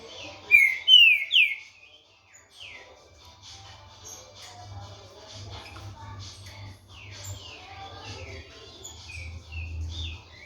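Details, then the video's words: Caged green-winged saltator, a 16-month-old young male bred for song tournaments, delivering loud clear whistled phrases with descending slurred notes early on, then softer varied phrases over a low steady hum. "FILHOTE DE TRINCA FERRO HOLOCAUSTO COM 16 MESES"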